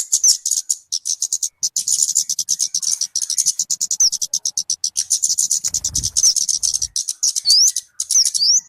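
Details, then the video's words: Talokan (kemade) calls, suited for luring birds or as a master song for training: rapid, dense series of high sharp notes, about ten per second, with occasional quick downslurred whistles near the end. "SUARA BURUNG TALOKAN/KEMADE COCOK BUAT PIKAT ATAU MASTERAN"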